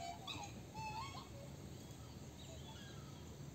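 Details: Greater rhea (Rhea americana) chicks of a brood attended by the father, who incubates eggs and cares for young; a few thin whistled peeps, some sliding up and down, then fainter notes over a steady low rumble.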